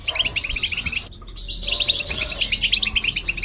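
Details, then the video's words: Goldfinch and a hybrid bird in song, meant to rouse other birds; rapid tinkling twitter that breaks off briefly near the middle, then resumes as a dense run of high chirps. "Goldfinch And The Hybrid To Hear And irritate The Birds"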